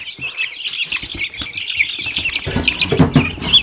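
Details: Silkie chicks keep up a busy chorus of short, high peeps over a steady hiss, joined by louder rustling and low bumps in the final second.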